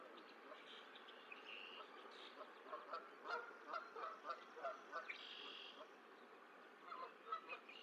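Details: Goose at the Decorah eagle nest on 14 April 2024, as the sixth and last goose egg hatches, with goslings about to jump to parents waiting below: short honking calls repeated several times a second over steady outdoor background noise, with faint birds.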